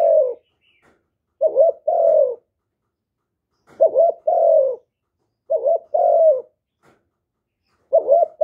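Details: Cooing spotted dove, used to draw in wild doves: each phrase a quick doubled hoot then a sustained mellow coo, four phrases spaced roughly two seconds apart, no other sounds.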